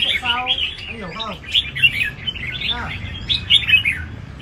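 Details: Red-whiskered bulbul in song at a bird-singing competition: rapid high chirps and short warbles in lively bursts, with low voices and some background hum.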